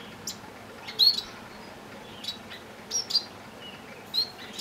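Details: Three grass finches kept with a Bengalese finch give brief, high, thin chirps, single or in quick pairs, at irregular intervals every second or so over soft background hiss.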